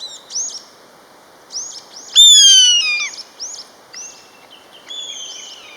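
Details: Common buzzard from a pair calling back and forth: one loud, harmonic-rich whistled cry sliding downward for about a second, while a smaller bird repeats short rising chirps throughout and a level whistle follows near the end.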